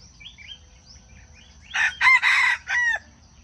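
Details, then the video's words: Wild junglefowl crow used as a lure for trapping: after soft, scattered chirps from other birds, one loud, harsh, four-part rooster-style crow, with the last note drawn out and falling, over a low background hum. "Wild chicken traps are fascinated by the sound of chickens crowing."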